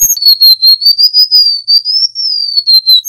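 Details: Golden-bellied gerygone in full song, used as a tutor recording for wild-caught birds: one sustained, sweet, high whistle that wavers gently up and down in pitch for about three seconds.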